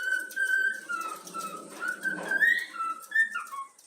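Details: Yellow-cheeked cockatiel chick whistling the Flamengo anthem in a quiet room: long steady whistled notes that dip and rise, ending in a few quick higher slurs, over faint background hiss.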